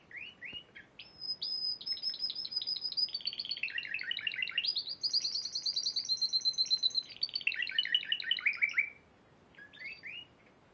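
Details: Spanish Timbrado canary, a March 2014 champion, singing a long sustained phrase of rapid pulsed trills at varying pitch, framed by short slurred notes before and after.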